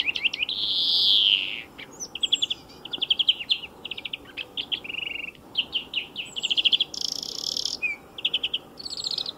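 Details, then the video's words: Beside a motor racing circuit, a European greenfinch gives a long buzzy wheeze, then rolling trills and twittered notes, with another wheeze midway; steady low background rumble. "VERDIER d'EUROPE - Chant remplacé pour cause de grand bruit"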